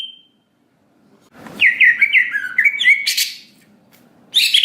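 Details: Greater green leafbird lure song, gacor nembak isian, used to trigger a quick emotional reaction; a short run of bright warbled chirps after a near-silent pause, ending on a harsh burst.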